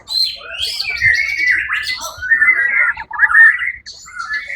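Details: Competition white-rumped shama, first-place winner on 1 October 2023, singing a flowing run of slurred whistles and warbled notes that dip and rise, with a couple of brief breaks.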